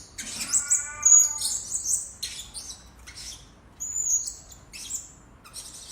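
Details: Blue-crowned hanging parrot lure sound for attracting birds: a lower harmonic tone under very high thin whistles, followed by buzzy chirps and another high whistle.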